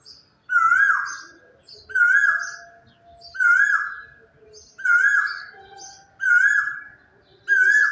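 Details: In the quiet of early morning, a quail calls a loud, burry, slightly falling note with a short sharp lead-in, repeated about every 1.4 seconds, with a faint low hum underneath.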